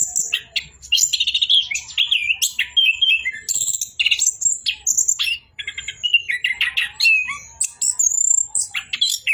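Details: Rich, varied song of an Orange-headed thrush: rapid chattering phrases, falling whistled slurs and trilled notes delivered in long unbroken runs, with one short pause midway.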